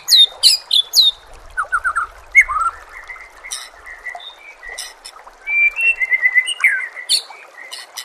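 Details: White-rumped shama song: a varied run of whistled notes, high sharp chips and slurred phrases, some falling and some rising, delivered rapidly with changing pitch and brief gaps.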